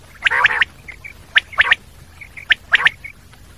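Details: Common quail: bright three-note bursts repeated at short intervals, mixed with lower, nasal, harmonic-rich notes, plus a few soft short chirps between phrases.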